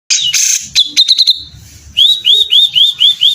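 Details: Grey-cheeked bulbul (cucak jenggot), a bird kept by a songbird keeper, singing loudly and close up: harsh bursts, then a quick stutter of notes and a long held whistle, then six rising, arched whistles in a steady series.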